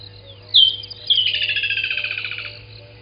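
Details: Woodland kingfisher singing at 05:29 in the morning on 18 December 2020 at Gowrie dam waterhole, Djuma Game Reserve, Sabi Sand, South Africa: two sharp high notes, then a rapid, descending rattling trill lasting over a second, over a faint low hum.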